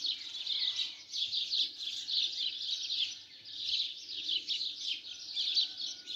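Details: Morning flock of sparrows, a thick wall of high chattering chirps that swells and dips without pause, many birds calling at once.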